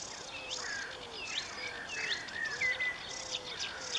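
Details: Varied, rapid song of a marsh warbler, a mimicking species, with hooked, slurred high notes and chips. A separate low, level whistle repeats about every half second underneath.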